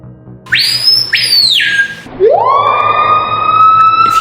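Screaming piha giving loud, ringing whistles: a sharp note that rises to a high held pitch, then a lower swooping whistle sliding up and holding. Faint background music.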